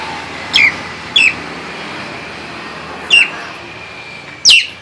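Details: Nias hill myna giving four sharp, loud downslurred whistled notes spaced irregularly over a steady hum of background noise.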